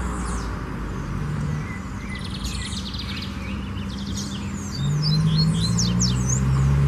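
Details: Lined seedeater singing in the wild: a buzzy, rapidly pulsed phrase followed by a fast run of high sweeping chirps and whistles, with a constant low hum and rumble beneath.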